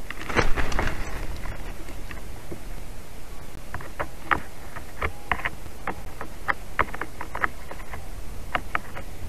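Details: Irregular dry ticks and taps over a low background rumble, with no animal voices.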